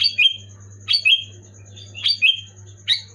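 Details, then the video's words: Sooty-headed bulbul singing loud, clear song used to make quiet or moulting bulbuls sing: four short bubbly, slurred whistled phrases about once a second, each dropping in pitch, over a steady low hum and a faint high whine. "Suara burung kutilang gacor keras jelas bikin kutilang omyokan macet malas bunyi auto bunyi gacor"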